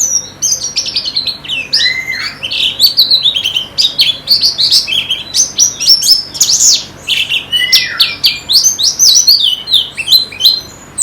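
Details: Continuous, very high twittered song of a pleci, or white-eye, from a training recording meant to encourage singing: quick chirps and downslurred notes pour out almost without pause, with a few lower slurred whistles.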